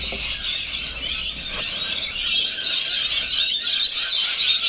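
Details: Rainbow lorikeets feeding, heard as an unbroken wall of high, harsh, buzzy screeches from several birds at once, steady in loudness throughout.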